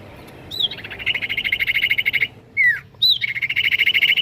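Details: Common iora song used to provoke other ioras to answer: a high whistled downslurred note, then a long rapid buzzy trill lasting over a second, another slurred whistle, a second note, and a further fast trill.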